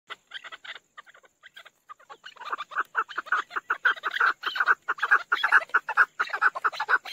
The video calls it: Chakor sound. Chakor voice.